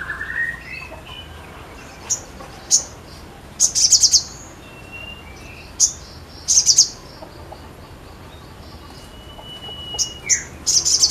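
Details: Crimson sunbird singing: isolated, piercing high chirps and short buzzy rattles spaced a second or two apart, with a few thin whistled notes and quiet gaps between.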